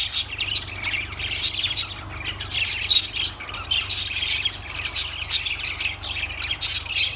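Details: Lovebirds chattering: bursts of piercing, high squeaks and chirps roughly every half second, busy and overlapping, over a soft continuous low hum.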